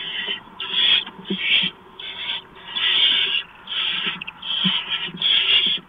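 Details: Barn owl at a nest, recorded at 4:26 AM on 6 March 2015 as an adult brings a mouse: harsh, rasping hisses in bursts of about half a second, around six in six seconds, with faint scratchy knocks beneath.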